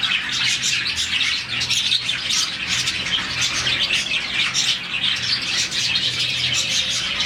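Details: Colony of around 40 budgerigars chirping in the morning, a sound given when the birds are happy; dense, continuous high chatter of overlapping twittering notes with brief louder squawks and no pauses.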